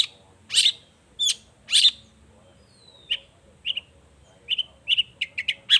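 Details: Long-tailed shrike in lively song: a few loud harsh rasps, a long thin descending whistle, then short clear whistled notes that speed up into a quick sequence of sharp chips.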